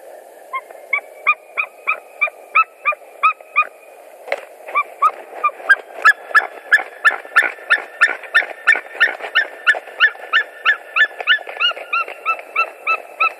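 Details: A White-tailed eagle pair at their Latvian nest around 9:47 on 5 March 2021, while bringing straw and sticks and attempting mating, give a long run of loud yelping calls. One bird calls steadily, then both join in a faster, excited duet of kyik notes.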